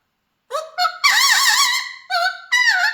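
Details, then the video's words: Pet Mealy Amazon parrot singing: a short rising note, then a long, loud, wavering harmonic phrase, followed by two more quavering notes that fall in pitch, with clean, quiet background. "My Mealy Amazon parrot Baby 👶 is singing"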